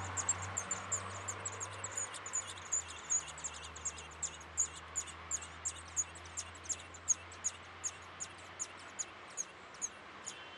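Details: Young Eurasian blackbirds begging as they are fed at a nest in a Weert backyard: sharp, high-pitched squeaks, a dense burst at first, then evenly spaced calls about every half second, with a low background drone.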